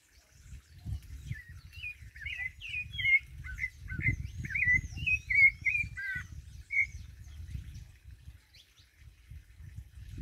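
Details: A sabiá thrush singing in a jackfruit tree gives varied, clear whistled phrases, some rising and some slurred, in quick succession, over a steady low rumble of background noise.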